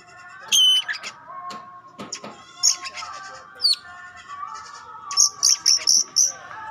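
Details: Kacer pastol, an Oriental magpie-robin, sounding to rouse other kacer: isolated sharp whistles and clicks, ending in a series of five quick, identical high piping notes, with a faint steady drone behind.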